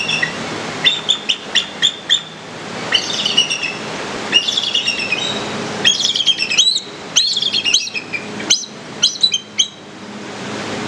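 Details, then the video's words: A Bald Eagle gives its surprisingly weak call: thin, high piping notes in quick stuttering bursts every second or two, over a faint steady background hiss. "Bald Eagle Vocalization"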